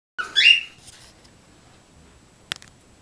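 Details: Cockatiels, a trio, kept indoors: one short, loud, rising-then-falling whistled call at the start, followed by quiet room noise and a brief sharp click.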